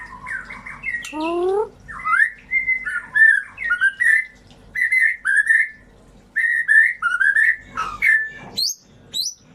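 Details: White-rumped shama song used as a lure to stimulate birds that stopped singing: a loud varied whistled phrase with a falling slurred series, then bursts of rich warbled notes separated by short pauses, ending in sharp rising whistles.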